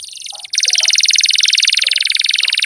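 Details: Canary singing a long, loud, rapid rolling trill of buzzy pulsed notes that holds steady for over two seconds, with faint low sounds beneath.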